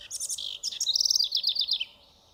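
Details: A House Wren in Santa Barbara County, California, in June sings a fast, bubbly burst of high chattering notes that tumble into a quick descending trill, all within about two seconds.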